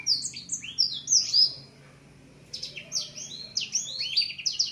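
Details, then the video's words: Black-throated Sunbird, 7 months old, whose voice has not yet fully broken, singing high, rapid twittering phrases in two bursts with a brief pause. It opens its wings on seeing a female. Faint low hum. "Blacksang gacor buka sayap"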